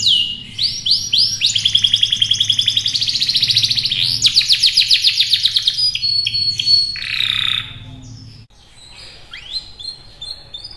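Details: Canary in full song, running through changing tours: swooping high notes, a long rolling buzzy trill, a fast pulsed series, then clipped whistles and chirps, about eight seconds of continuous varied singing followed by scattered softer notes.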